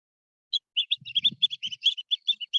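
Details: Long-billed Dowitchers fly in at a wastewater treatment plant pond near Fresno on 18 September. Their flight calls are a quick run of about a dozen high, sharp 'keek' notes, several per second, over a faint low murmur.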